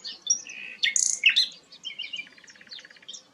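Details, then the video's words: Rare flycatcher known as sikatan londo producing a quick jumble of high squeaky whistles, a harsh buzzy note and a brief dry rattle, ending in thin chirps. "burung langka sikatan londo"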